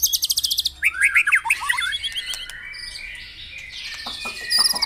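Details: Morning stimulation track for caged white-rumped shamas: a rapid high trill opens, then slurred whistles step downward, followed by sustained ringing tones and scattered sharp chirps.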